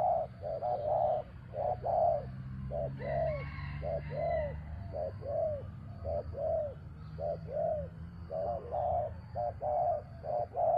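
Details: Spotted dove calling during traditional dove luring, coaxing a captive bird down. Rounded, mellow coo notes repeat steadily, roughly one per second, each arching slightly in pitch. A faint higher chirp and a low background hum run underneath.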